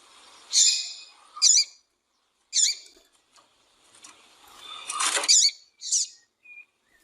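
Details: Female Double-collared seedeater calling, used to stir males into singing: short, sharp, high chip notes in spaced pairs and singles, with a brief noisy rustling burst near the end and a faint thin whistle after.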